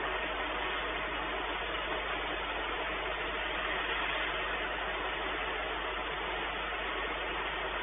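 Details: Steady broadband hiss and engine-like drone fill the recording without break, and no animal voice stands out.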